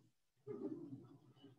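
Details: Nesting great black-backed gull on Appledore Island in summer gives one deep, harsh, drawn-out yeow about a second long, an alarm call rated four on a disturbance scale, more alarmed and costly; faint room echo.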